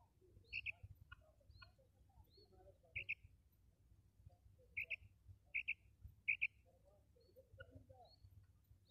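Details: Female common quail, recorded for hunters to call in quail: bright two-part notes repeated irregularly about every second, several in a row, with soft lower twitters between and quiet low hum.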